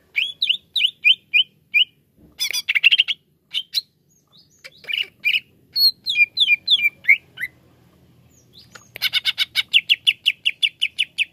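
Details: Greater green leafbird song played as therapy for birds reluctant to sing: chip series, a harsh scratchy burst, varied slurred whistles and mimic-like phrases, closing with a long fast run of sharp repeated chirps.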